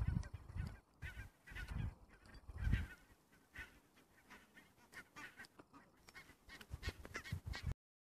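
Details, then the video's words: Flock of barnacle geese at RSPB Mersehead in Dumfries & Galloway, heard fairly distantly: a continuous chatter of short, barking yaps from many birds, with gusts of low wind noise. "Barnacle Geese at Mersehead"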